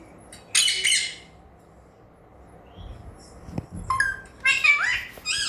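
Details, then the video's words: Alexandrine parakeet learning to talk: a harsh, broad squawk, a long quiet gap with soft knocks, then a string of scratchy syllables and curved harmonic notes that rise and fall at the end. "Parrot Learning and Talking #alexandrine"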